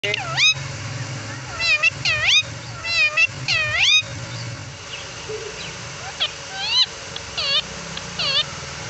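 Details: Young pet green parrot of a Pakistani local breed learning to speak English and Urdu: harsh, nasal squawks and warbled speech-like syllables in short bursts, with a person speaking nearby.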